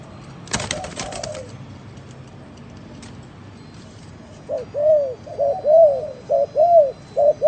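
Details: Spotted dove cooing in an unusual style. A brief clattering noise comes first, then a quiet gap, then a run of about seven soft, rounded low coos repeated roughly once a second.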